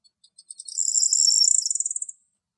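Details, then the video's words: Corn bunting (Emberiza calandra) singing in the wild in Greece: a few spaced ticks speed up into a high, dry jangling rattle like shaken keys, lasting under two seconds. "Τσιφτάς Κελάηδημα - Corn Bunting song"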